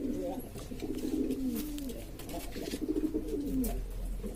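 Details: Noisy flock of domestic pigeons from East Lombok, Indonesia, various breeds kept by fanciers: overlapping deep, burbling coos run almost without pause, with scattered tapping noises.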